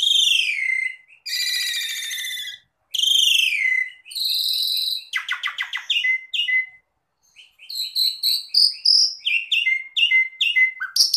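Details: Asian pied starling song for jalak suren gacor training: long harsh buzzy phrases alternate with clicking rattles, followed by quick repeated bright whistled chips.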